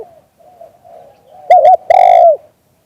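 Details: Spotted dove cooing in Thailand: faint low murmuring coos, then two short clipped notes and one strong, sustained coo that drops in pitch at the end.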